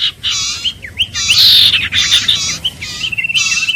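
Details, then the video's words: An iora (family Aegithinidae) gives loud, rapid bursts of high, harsh chattering notes with sweeping whistled slurs between bursts. "Tiếng chim Huýt Cô(Chim Nghệ) | The sound of birds Aegithinidae"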